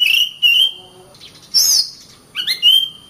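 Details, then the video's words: Oriental magpie-robin (kacer) singing: a long, flat whistled note, then a high buzzy burst and a few rising, slurred whistles, with short silent gaps between phrases. "Kacer Bird Singing"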